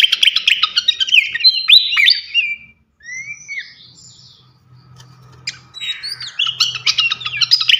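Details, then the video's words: Srikatan kipas flycatcher, a champion bird recorded to tutor others: a burst of quick chattering whistles, a pause with a few separate sweeping notes over a low hum, then another rapid twittering burst. "gacoan ngeplong masteran asah mental burung jawara khas srikatan kipas"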